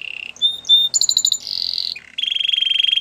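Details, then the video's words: Canary training song fragment, with brief pure whistles, a pulsing stuttered phrase, a buzzy rolled tour and a final fast steady trill, each section lasting well under a second. "Canary's most powerful song for training - The best canary sounds"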